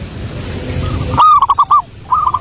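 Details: Short burst of a local wild zebra dove song for luring: a loud run of quick rolling coos after a quiet start, then a softer reply.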